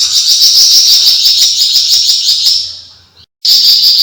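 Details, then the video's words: Javan fulvetta in long 'besetan' chattering, kept as a tutor recording for songbirds. A shrill, rapid, buzzing rattle holds steady for about three seconds, cuts out abruptly, then starts again at full strength. "FLAMBOYAN GACOR BESET PANJANG"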